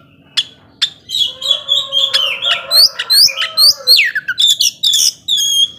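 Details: Caged Oriental magpie-robin in energetic song meant to stir up less aggressive birds, a mix of sharp upward-swept whistles, chattering notes and short bursts, with a faint steady hum below.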